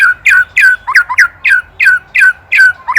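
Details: White-rumped shama, Indonesia, from a master recording for training songbirds: harsh, squawky downslurred notes repeated about three times a second in an even, scolding series.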